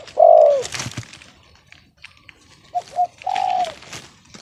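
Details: Spotted dove said to have a discordant voice instead of a big one: a loud long coo, a pause with soft clatter, then two clipped hiccup notes and another sustained falling coo.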